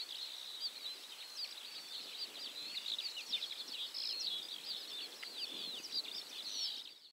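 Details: Linnets at 51.853691, 20.133837 in Poland twitter in a steady, high chatter of quick, slurred notes, several birds calling over one another without pause, with a faint hiss of open country behind.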